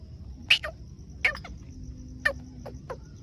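Black francolin giving harsh, grating notes in short clusters of two or three, about once a second, over a steady high insect-like whine and low rumble.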